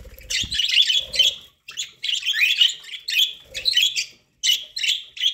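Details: Budgies kept as pets chatter while they eat corn. Dense scratchy warbles come in runs of about a second, separated by short silences, with faint low knocks underneath.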